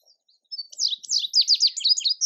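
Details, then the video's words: High, clear song of an Indigo bunting, a bright run of sharp downslurred notes repeated in pairs for almost two seconds, with no other sounds. "Indigo Bunting Song"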